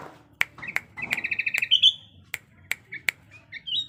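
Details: Sooty-headed bulbul in breeding condition giving a quick run of rapid repeated chirps that ends in a rising whistle. Loud sharp clicks and a low background hum accompany it.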